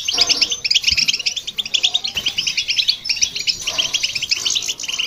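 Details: Goldfinch and a hybrid pouring out song to rouse other birds: lively, tinkling chatter of quick high notes and buzzy trills, briefly dipping before surging again.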